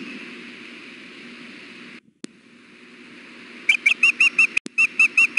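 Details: Nesting female osprey at Hellgate on a 93-degree June day, insistently asking to be fed. After near-silence and a click, she launches a fast string of about eight shrill, evenly spaced whistled yelps over a faint hum.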